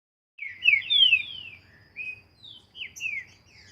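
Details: Green-winged saltator singing during training outdoors in nature: a rapid series of clear, downward-slurred whistled notes, loud at first, then softer separate slurred phrases after a pause, over faint low background hum.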